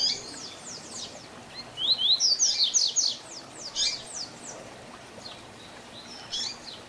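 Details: Double-collared seedeater performing the Tui Tui Zel Zel teaching song for young birds. A loud rapid string of about eight bright whistles is followed by fainter scattered high notes.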